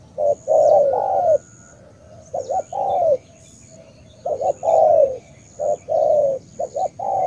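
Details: Spotted dove, Cà Mau, Vietnam, cooing in 'tú' style: repeated phrases of two or three short hoots leading into a long sliding coo, four phrases over several seconds, clear and close.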